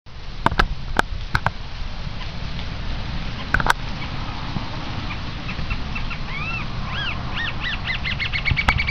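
Green-tailed Jacamar: a run of thin, upslurred whistled notes that speed up into a rapid series over the final seconds, over low rumble and a few sharp knocks.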